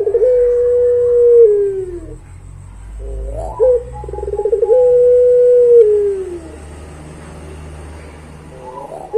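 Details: Barbary dove, puter pelung type, giving its prized long song: a steady low hooting note held for over a second, then sliding down, repeated twice with a rough pulsed lead-in before the second.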